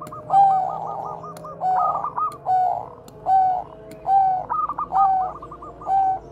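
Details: Bangkok zebra dove song used as a lure to train other doves: repeated purring coos about once per second, interspersed with quick stuttering trills, steady low hum underneath.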